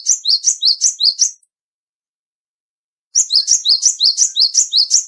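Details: Cinereous tit, a small, lively black, white and grey bird with a loud voice, singing a fast series of high two-note phrases, about five per second, pausing nearly two seconds before resuming with another run.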